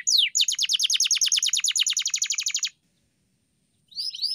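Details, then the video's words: Canary training song for pet birds: a rapid, even series of sharp descending chirps repeated about three times a second for nearly three seconds, a pause, then a brief new phrase of sweeping notes. "Kenari GACOR‼️ (EPISODE 298) Masteran Burung Kenari _ CANARY SINGING__ الكناري"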